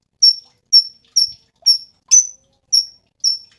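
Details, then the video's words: Lively Cungkok song of seven piercing high chips, each with a quick downward tail, spaced roughly half a second apart against silence. "SUARA BURUNG CUNGKOK SUPER GACOR"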